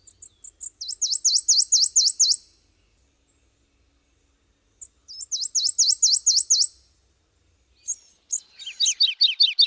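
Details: Subalpine warbler (Sylvia cantillans) delivering two bursts of rapid, evenly repeated high V-shaped notes, each about a second and a half long, separated by a pause, then a scratchier chattering phrase at the end.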